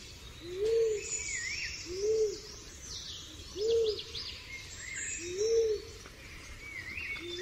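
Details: Pigeon giving soft, arched low coos, one every second and a half or so, while small birds chirp and twitter higher up in the background.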